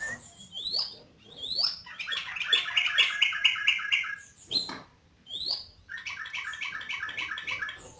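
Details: Yellow-vented bulbul singing vigorously: bubbly, warbled phrases of quick rolling notes, with rising upslurred whistles before two long bursts, separated by a short pause.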